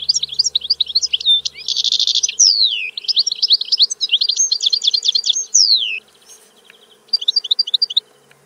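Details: European goldfinch in full song: rapid tinkling twitters, a dense buzzy trill, drawn-out sliding whistles and chattering runs, ending after a short pause with a brief twittered phrase.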